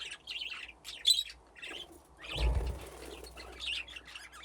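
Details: Aviary budgerigars playing among nesting boxes: high warbling chirps come in bursts, with a loud whir of flapping wings midway, then more chattering chirps.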